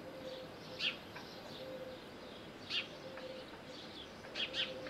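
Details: Little owl at Bostonia Village in Corfu, Greece, giving clipped, high, piercing notes, a single note, another single, then a quick pair, about two seconds apart, over a faint low hum.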